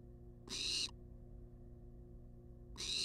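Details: Barn owl, wild, filmed by a nest-box camera while begging for food; two broad, rasping hiss-screeches about 2.3 seconds apart, with a constant low hum between them.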